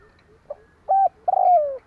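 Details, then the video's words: Decoy spotted dove cooing to lure wild doves: a faint soft note, a firm level coo, then a long coo that falls away, close and clear. "Tiếng Chim cu gáy Kích bổi hiệu quả ,Cu mồi gáy gọi bổi. Cu gáy kích bổi mở là gáy"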